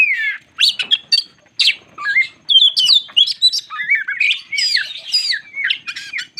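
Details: White-crowned shama singing steadily to provoke other shamas: loud rich whistles with rising and falling slurs, mixed with harsh squawky notes and brief pauses between bursts.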